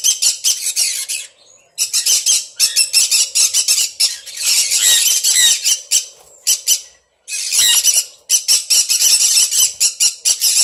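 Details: Pet sun conures screeching in rapid, harsh, high-pitched bursts, several per second, in long runs broken by brief pauses; no other sounds stand out.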